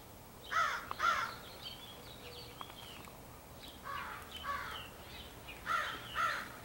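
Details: Crows of a large family group in April 2015, possibly choosing mates; paired hoarse caws at the start and end, fainter caws between, over steady background hiss.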